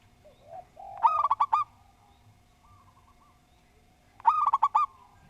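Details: Energetic local Javanese zebra dove: a short rising lead-in, then a rapid string of rolling coos, repeated once about three seconds later, with faint distant cooing and a background hum.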